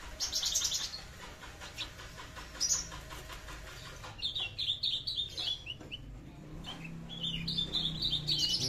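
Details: A captive, hand-tamed Horsfield's bush lark gives bright, high twittering phrases in short bursts with brief pauses between them, over a low steady hum.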